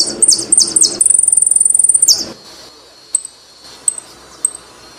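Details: Argentine saffron finch: three quick, high chirps, then a sustained rapid trill of thin, very high pulses for about a second, ending in a falling slur; later three lone faint tweets.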